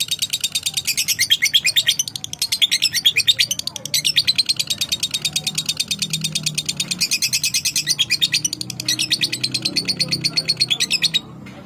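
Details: Lovebird responding to another bird with a long run of rapid, piercing high chirps, roughly three each second, briefly dipping then resuming, with a low background hum and a short break near the end.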